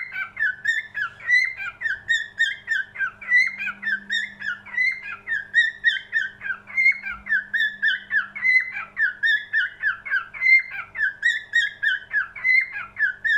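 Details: Cockatiel singing a continuous warbled whistle song around the middle pitch range, with rapid rising and falling notes repeated about every two seconds and faint higher overtones; a low steady hum runs underneath.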